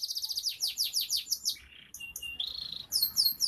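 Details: F2 canary in full, energetic song: rapid high rolling trills of repeated slurred notes, a brief lower buzzy note, a steady whistled tone, then more fast descending trilled phrases.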